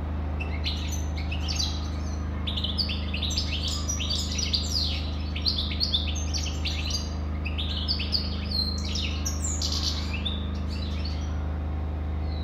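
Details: European goldfinch delivering a long, continuous song of rapid liquid twitters, trills and sharp rising and falling notes in dense bursts, with a constant low hum underneath throughout.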